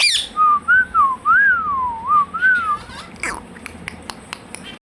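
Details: Talking Indian ringneck parakeet, kept as a pet, saying "Hello" and "Mithu": a flowing string of wavy tonal rises and falls, followed by scattered sharp clicks and a brief noisy burst.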